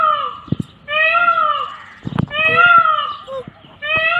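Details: Indian peafowl calling with loud, drawn-out nasal wails, each roughly half a second long and rich in harmonics, repeated about once a second, with short knocks and clicks between the calls.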